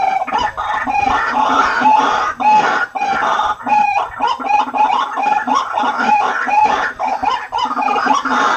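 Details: White-breasted waterhen calling, used as a lure for waterhens: continuous grating, croaking notes from several overlapping voices, with short breaks in the rhythm.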